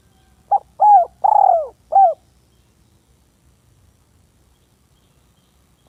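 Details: Village spotted dove calling a rival, also said to be luring a female roaming nearby: four short, hoarse coos in quick succession, the third longest and drawn out, then silence before one more coo begins at the end.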